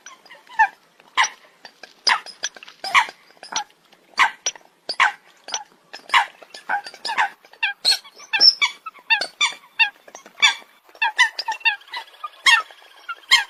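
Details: A group of Eurasian coots keeping up steady sharp nasal calls: short sharp notes repeated two or three times a second, with a faint buzzing sound near the end.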